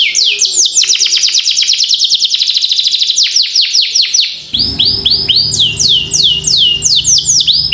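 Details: Young canary singing a long gacor roll for training other birds: four seconds of fast stuttering trilled notes, then slower clear arching whistles over a low background hum.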